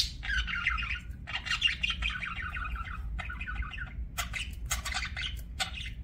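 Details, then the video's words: Budgies in an aviary giving a continuous warbling chatter, rapid rolling notes broken by short gaps, then sharper clicks and squawks toward the end, low hum underneath. "BUDGIE CHIRPING SOUNDS"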